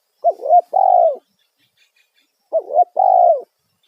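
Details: Loud 'kuk satu' lure call of a spotted dove meant to draw wild doves. Two identical phrases about two seconds apart, each with a brief wavering double note followed by a drawn-out, slightly falling coo.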